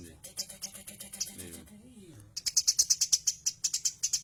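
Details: Tame Eurasian tree sparrow singing actively: a run of quick, sharp, high chirps about six per second fills the second half, after a stretch where a man's speech mixes with fainter chirps.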